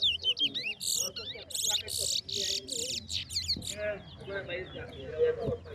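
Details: Chestnut-bellied seed finch (towa towa) in a bragging-rights singing match: whistled swoops lead into a long series of harsh buzzy pulses about every third of a second, ending in twittering slurs, with counting voices.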